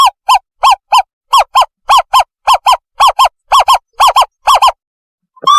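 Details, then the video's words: Owl call used to lure and catch owls: crisp arched notes in rapid pairs, about ten pairs in under five seconds, then a pause and the start of a trill. "เสียงนกเค้า ต่อล่อ เสียงใส"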